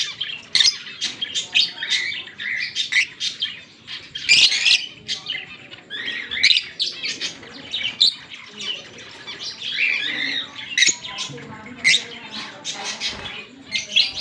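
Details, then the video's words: Fischer's lovebirds, a green pair, singing and chirping on October 16, 2023: a steady stream of harsh, squeaky, high-pitched chatter and squawks, rising and falling in uneven bursts without pause. "Lovebird Singing & Chirping Sounds- Green Fischer Pair nicely"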